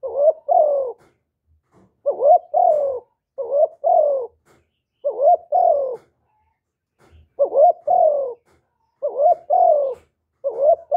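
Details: Spotted dove calling to stir other doves: repeated phrases of short quavering notes and falling coos, grouped in pairs with pauses of about a second, continuing steadily for eleven seconds.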